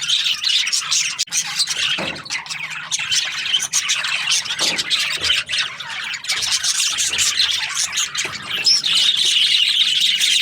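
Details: Budgies chirp and squawk in the morning, a dense run of harsh chattering calls, growing louder and fuller toward the end, where a brief rising whistle stands out, with faint hum below.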